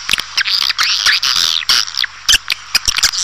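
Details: Lure call for swiftlet farming, an old original calling sound: long raspy buzzing twitters broken by sharp clicks, in an uneven, busy sequence.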